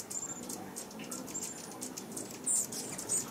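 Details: A Rufous hummingbird at a feeder in California gives thin, very high chip notes, spaced about a second apart, over a steady background hiss.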